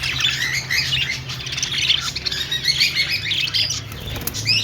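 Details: Flock of budgerigars in an aviary at a pet store, chirping and chattering together: a dense, continuous mass of high twittering notes and short upward squeaks overlapping without pause.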